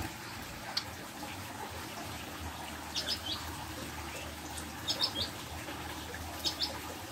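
A prinia gives short, high, scratchy chirps in small clusters every couple of seconds, half-buried under a steady rushing, water-like background noise.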